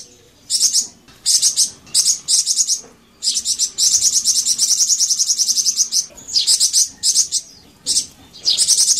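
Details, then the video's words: A captive scarlet-headed flowerpecker sings very high, thin, rapid ticking and buzzy trills in bursts of half a second to two seconds, with short pauses between. "Suara Merdu Bikin Burung Flamboyan Teler dan Langsung Nyaut"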